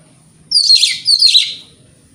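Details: White-rumped shama sounding in the morning as a lure for rival birds: two harsh, hissing high bursts about half a second apart, otherwise quiet.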